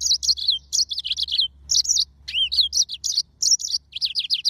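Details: Mozambique serin, the yellow-fronted canary, delivering a continuous lively song of high twittering notes, quick trills and one downward-curving slurred note, phrases tumbling with barely any gap over a faint low hum.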